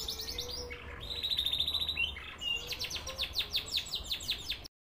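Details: Canary song of fast high rattling trills and a steady whistled tour, then a string of rhythmic repeated notes about four per second; faint low hum.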